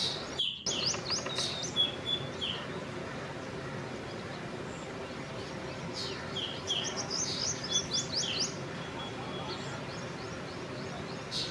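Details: Black drongo giving sharp, high chirps and short metallic notes in uneven bursts, with a brief thin whistle near the start and quick clusters of notes in the second half, over a steady low rural hum.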